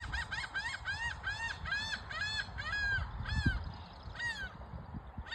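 Laughing gull giving a run of about a dozen nasal, arched 'ha' notes, roughly two to three per second, slowing at the end, over low rumbling background noise.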